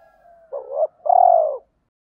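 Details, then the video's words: Spotted dove lure coo, from male and female birds, used by keepers to provoke decoy doves into fighting coos; a faint drawn note, then a broken two-part coo and a longer steady, throbbing low coo. "Tiếng chim cu mồi thúc đấu/ chim cu gáy kích bổi nhanh nổi gù đấu lại/ chim cu cườm thúc rút bổi"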